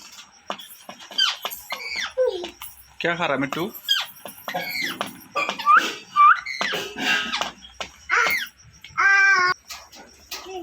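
A parrot chatters in quick bursts of squeaky, whistled chirps and rasping notes, some rising and falling, with a few nasal, speech-like sounds mixed in.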